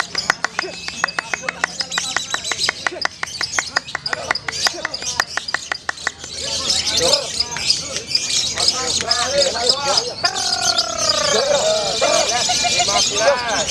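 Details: A female competition lovebird gives a long chattering trill of sharp, rapid notes, about three or four a second, while other birds chirp over it and people talk in the background.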